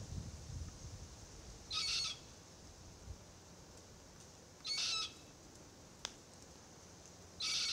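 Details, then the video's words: Immature Forest Red-tailed Black-Cockatoo calling incessantly in a Marri tree while the adult pair feeds: three harsh, buzzy screeches repeated about every three seconds, with a sharp click in between. "Forest Red-tailed Black Cockatoo pair feed while their youngster complains incessantly."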